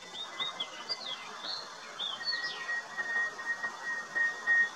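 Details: Palani laughingthrush (Palani Chilappan): short whistled notes and looping phrases, some rising and some falling, repeat quickly against a steady high insect-like tone and soft background chirping.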